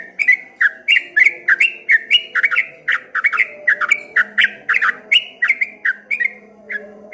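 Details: Streak-eared bulbul in a rippling, wave-like song style: rapid rows of bright chirped notes with sharp clicks, roughly three per second, continuing without pause over a low steady hum.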